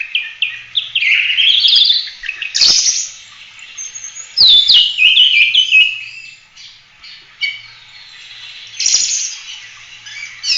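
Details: Oriental magpie-robin, 'gacor' full-roll song for training other birds: irregular bursts of loud warbled whistles separated by quieter pauses, with occasional sharp clicks.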